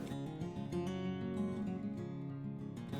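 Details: Strummed acoustic guitar music plays throughout, with no animal sounds present.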